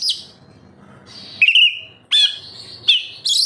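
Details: Oriental magpie-robin (kacer) singing, offered as a lure for caged birds: a few separate loud whistled notes, some sliding down, spaced by short pauses over a soft low rumble.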